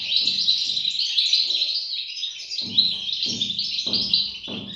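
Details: European goldfinch chicks chirp in a thick, high, continuous twitter, with a few low thumps at the start and a run of regular low pulses near the end.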